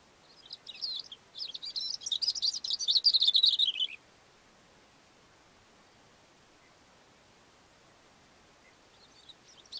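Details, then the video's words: Cape grassbird on a rock on a mountain slope gives one rapid, high chattering phrase of about three seconds that accelerates and falls at the end, followed by quiet, with a faint new phrase starting at the close. "Cape Grassbird singing"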